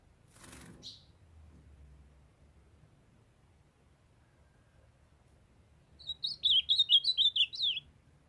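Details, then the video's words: Young male ultramarine grosbeak in song, prompted by a female calling to warm him up: a short click and single note, a long silence, then a rushed phrase of tumbling whistled notes near the end. "MINHA FÊMEA DE AZULÃO CHAMANDO PARA ESQUENTAR🔥MEU AZULÃO JOVEM CANTANDO"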